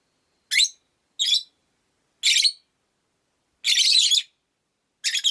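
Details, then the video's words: Five rosy-faced lovebirds share a cage near a window; here come five loud, raspy chirps in about five seconds, short bursts apart from one longer rattling squawk, against near silence. "Lovebird Chirping Sounds"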